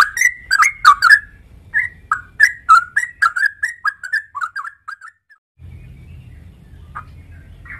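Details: Bubbly whistled phrases from a sooty-headed bulbul, called trucuk, come quickly at first, then slow and soften to trailing notes before near silence, with two faint notes late against a low hum.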